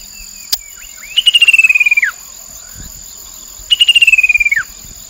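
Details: Chestnut-capped babbler used as a lure sound, recorded beside the Mekong River in Nakhon Phanom, Thailand, 2021: two loud rapid stuttering trills, each a run of quick notes sliding downward at the end, separated by a pause.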